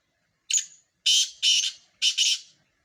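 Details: Sindhi black francolin calling in a contest of four birds: a brief sharp introductory note followed by three raspy, scratchy phrases, the final one split in two, with a clean quiet background.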